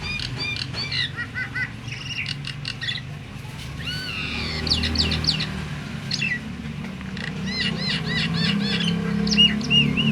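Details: Myna giving calls meant to set other mynas, even silent birds, singing; rapid repeated chirps, then looping, rising and falling whistles and more clustered notes, over a continuous low rumble.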